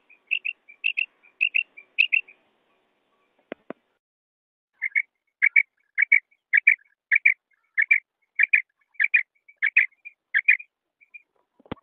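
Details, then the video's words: Quail calls in two patterns. An irregular run of paired high notes gives way, after a short pause with a click, to a regular series of single sharp notes about every 0.6 seconds. "بٹیر کی اواذ ایک نر اور تین قسم مادی کی اواز"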